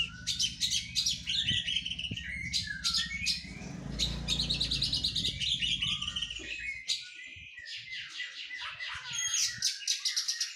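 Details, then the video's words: Oriental magpie-robin in physical training after its moult, giving a busy run of high chirps and twittering notes in quick bursts, with a low hum underneath during the first half. "KACER PRO HYPER LATIHAN FISIK PASKA MABUNG"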